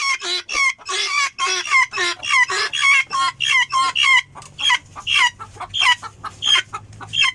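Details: Helmeted guineafowl calling in a rapid chain of loud, rasping, buzzy notes, roughly two per second. The notes have a slightly rising, squeaky edge and soften toward the end, over a low background hum.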